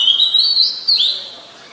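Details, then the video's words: Oriental magpie-robin singing in Ubon Ratchathani, Thailand, 17 November 2021, a very common resident: a loud, high whistled phrase with wavering slurred notes and a short rising twist, then fading into quiet. "นกกางเขนบ้าน Oriental Magpie Robin (singing)"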